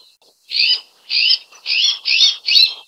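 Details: An azure-winged magpie (Cyanopica cyanus) gives five harsh, raspy calls in a row, about two each second, each a short grating burst, with nothing else heard.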